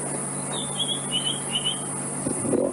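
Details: White-browed scrub robin singing near a hyena den on a hot December evening safari; a run of high, slightly slurred whistled notes repeated several times, followed by a soft thump.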